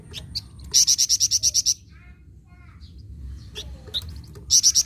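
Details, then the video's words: Flamboyan bird singing vigorously: loud bursts of about nine sharp, very high chipping notes in quick even succession, each burst lasting about a second, with faint softer chirps and low background rumble between bursts. "BURUNG FLAMBOYAN GACOR"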